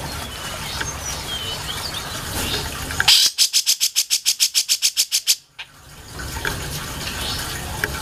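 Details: Grey-cheeked bulbul recorded for songbird mastering: a single run of a dozen quick, harsh, evenly spaced notes lasting about two seconds, set against soft background hiss and distant chirps.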